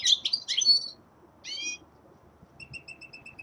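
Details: Young male common linnet singing in winter: quick bursts of bright, twittering, slightly buzzy notes, a short pause, a trilled phrase, then a faint series of clipped, evenly spaced high notes.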